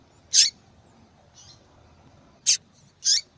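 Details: Calls of a female yellow-bellied seedeater, used to stimulate male song. One sharp high chip is followed by a soft faint note, then two more bright chips come in quick succession near the end.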